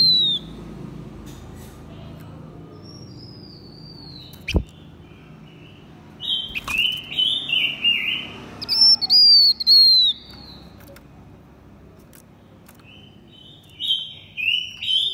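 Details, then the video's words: Male and female blue-winged minla sing a decoy song meant to provoke wild birds. After a quiet start with a few thin whistles and taps, a burst of bright, slurred whistles follows midway, then a short whistled phrase near the close. "Chim khướu lùn cánh xanh hót mồi kích bổi trống mái quá đỉnh."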